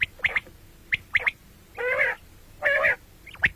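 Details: Common quail calling, heard morning and night: short sharp notes in quick pairs and triplets alternate with two longer harsh, buzzy bursts.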